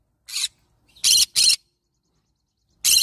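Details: A yellow-sided green-cheeked conure (Pyrrhura molinae) gives four harsh, raspy screeches, each a fraction of a second long, two in quick succession and the last after a pause.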